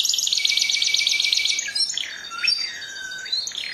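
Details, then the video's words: Canary singing a rapid, even trill of high notes for over a second, then slower sliding whistles that dip and rise again. "Chant du Canari- تغريد الكناري"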